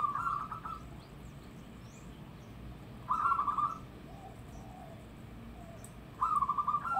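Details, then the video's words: Loud local zebra dove: trilled purring coo phrases repeated about every three seconds, with faint softer coos between them and low background hiss. "Perkutut Lokal Suara Lantang"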